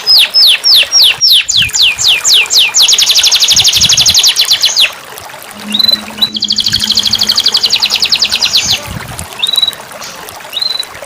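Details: Canary song played as therapy to prompt a caged bird that has stopped singing: loud series of descending whistled sweeps, then fast rattling trills, a pause, and another long buzzy trill with short upslurred notes.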